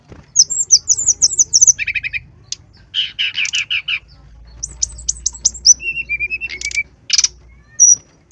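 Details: Lively brown-chested jungle flycatcher song meant to coax other birds into singing: a rapid run of high slurred whistles, then rattling buzzy trills, descending whistled notes and a sharp closing chip.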